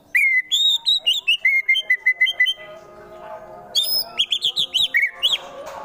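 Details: White-rumped shama (murai batu) fighter from Wonosobo, Central Java, Indonesia, singing harsh rapid-fire bursts meant to rile rival birds: a run of about a dozen clipped repeated notes, a pause, then high sweeping whistled notes.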